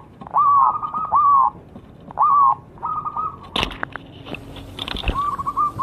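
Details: Zebra dove song played as a lure to make birds sing. It opens with smooth arched cooing phrases. Sharp clattering knocks interrupt, then a soft rolling coo resumes at the end.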